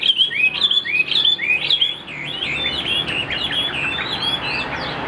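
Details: Chinese hwamei pouring out fast, varied whistles, roughly two phrases a second: upslurred and downslurred notes tumbling together in an energetic run that carries on after a brief dip.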